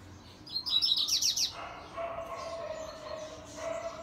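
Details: A double-collared seedeater sings a fast "grego"-style song: a high twittering burst lasting about a second, followed by lower, steadier tones against faint background noise.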